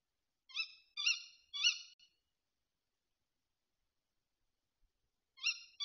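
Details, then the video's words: Tawny owl calling often at a Bieszczady feeder, 7 September 2023. A run of three short, raspy, harmonic calls is followed by about three seconds of quiet, then another call begins. "A to się puszczyk rozgadał"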